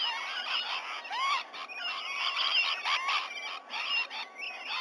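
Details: Many rainbow lorikeets crowding a White-bellied Sea-Eagle nesting tree in Sydney Olympic Park, Australia, shortly after 7 a.m. on 19 November 2020; constant overlapping screechy chatter with short rising squeals, rising and falling in intensity.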